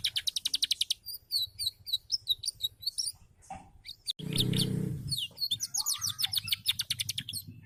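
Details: A canary sings fast buzzy trills and bright chirped phrases, broken by a loud, broad rustling noise midway before the rapid trilling resumes.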